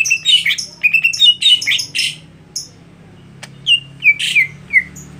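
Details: Contest-setting greater green leafbird singing fast clustered whistles and chips, then spaced single downslurred whistled notes.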